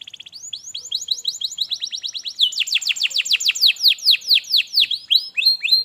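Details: Canary song used to prompt a lazy canary to sing: rapid series of descending whistled notes, speeding up, then slower, louder downward-sweeping syllables repeated about twice a second.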